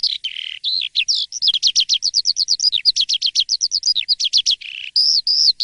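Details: An Asian pied starling singing persistently in the morning opens with lower warbled whistles, breaks into a rapid run of sharp chattering notes, then closes with long clear level whistles.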